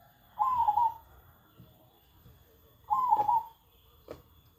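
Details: Zebra dove that reportedly coos the whole day and stays unafraid of people, repeating a bubbly, slightly falling trilled coo twice about two and a half seconds apart, followed by a brief knock.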